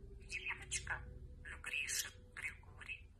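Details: A talkative pet budgerigar chatters in a high, raspy, whispery voice, imitating bursts of human speech with short pauses, over a low room hum.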